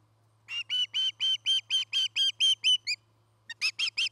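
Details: Osprey at its Charlo, Montana nest, filmed on a nest camera on 9 August 2018: a rapid run of about ten short clipped whistled chirps, a pause, then a fresh burst of sharper chirps, with steady low hum beneath.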